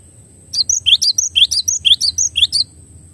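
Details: Cinereous tit, known locally as gelatik batu, in clear masteran song: a steady run of about twelve bright, high whistled syllables with rising slurs, then silence.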